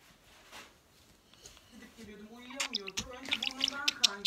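A budgerigar chatters in a speech-like voice, mixing word-like phrases with sharp clicks and high chirps.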